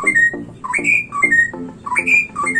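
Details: White-rumped shama singing clear, rich whistles: short phrases of slurred notes that rise and fall in pitch, repeated roughly every half second, with a few higher sharp notes between them and no other clear sounds.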